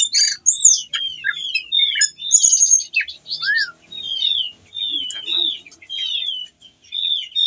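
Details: Caged whistling thrush in full song, singing while in breeding condition and calling to a female: varied clear whistled phrases, sliding down and up between high notes, delivered in short bursts with brief pauses.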